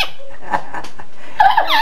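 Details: A pet parrot, said to imitate its owner's mother, gives a few squeaky, voice-like syllables in a small room, ending with a brighter, rising fragment.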